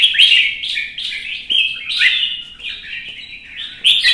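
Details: Competitive singing from a red-whiskered bulbul, with clear chirpy whistled phrases tumbling up and down, a short pause mid-way, then a sharp loud burst to finish.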